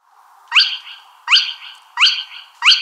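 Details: Spotted crake giving four sharp, upward-whipped whistled notes about 0.7 seconds apart, each ending in a short buzzy tail; quiet background otherwise.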